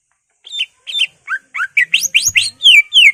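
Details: Greater green leafbird singing to provoke other leafbirds into agitation: a run of clear whistled notes that speeds up, the slurs growing longer and rising, ending in two drawn-out descending whistles.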